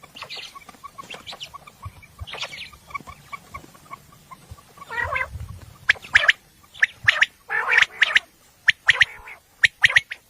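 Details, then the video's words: Common quail at night, from a hunting recording said to be of a female: faint mixed calls and a low thump early on, then loud crisp triple-note bursts repeated about once a second. "Batair ki awaz night batair sounds for hunting"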